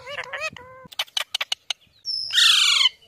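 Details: Parrot (tota) making wavering, speech-like tones and a held note, then a quick run of dry clicks. The clip ends in a long, loud, harsh squawk that slides downward.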